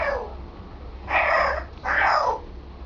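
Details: Pet African grey parrot practising talking indoors, giving two drawn-out, hoarse, speech-like syllables about a second apart over a low background hum.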